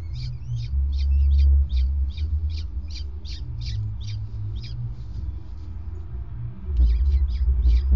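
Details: Peregrine falcon male delivering prey at the nest on a grating, 5 May 2019, 20:54; rapid series of short harsh scratchy notes, about four per second, pausing then resuming, over loud low-frequency rumble.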